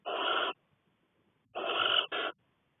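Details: Six Cornish barn owlets together in a nest box while their mother is away: loud breathy rasping hisses, one long burst then another followed by a shorter one, with silence between.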